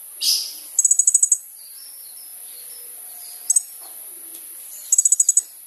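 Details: Lively sunbird song used to provoke a response from wild sunbirds: a very high, fast rattling trill of about seven notes, a brief double note, then another rattle, with faint thin whistles between.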